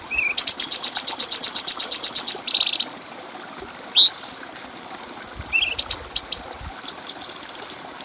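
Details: Clear bulbul song used to tutor other birds: a steady run of quick high ticks about two seconds long, a buzzy burst, a single rising whistle, then scattered sharp chips.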